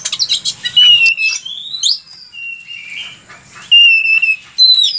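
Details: Oriental magpie-robin song intended for tutoring birds: a quick scratchy start, then long clear whistles, some upslurred, with pauses and later bright whistled phrases.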